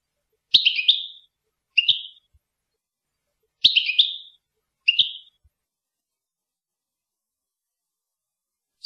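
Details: Goldfinch, Rasta type, from Tunisia, in a Torka-style recording: short twittering phrases of two or three notes, given in pairs with long silent gaps, with faint low knocks between them.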